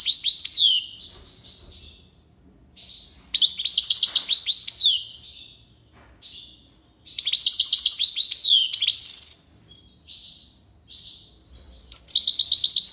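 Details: Goldfinch from Algiers, Algeria, delivering tiwawati-style song: three loud, rapid liquid trills of high chirps, separated by softer single twitters and short pauses.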